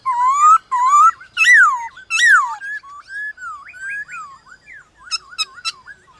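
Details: Song contest between a white-cheeked laughingthrush and wild laughingthrushes in the morning: loud upslurred and downslurred whistles, followed by lower, wandering whistled phrases and brief clicks.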